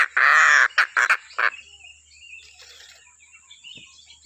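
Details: Stork-billed kingfisher in a recording used for training other birds to sing. It gives one long, loud, harsh scream, followed by three shorter rasping blasts. Faint thin chirps follow in the quiet background.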